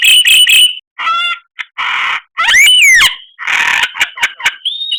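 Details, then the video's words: Murai batu song full of varied phrases: three fast high notes, a harmonic nasal note, a buzzy burst, then a loud arching whistle that rises and falls, followed by scratchy notes and short sharp clicks. "Masteran Murai Batu Paling Dicari Kicaumania Nomor 1"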